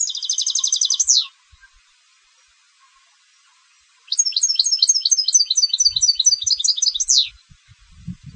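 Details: Competition goldfinch song: a fast rattling trill that ends in a falling sweep, then after a pause a long phrase of bouncing chirps ending the same way; faint low thumps underneath.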